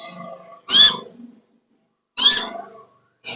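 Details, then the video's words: Olive-backed sunbird singing: two loud, shrill, buzzy bursts about a second and a half apart, each fading into quieter chatter, with a third burst starting at the end. "Original sound konin kolibri ninja suara lb ngekek panjang gacor"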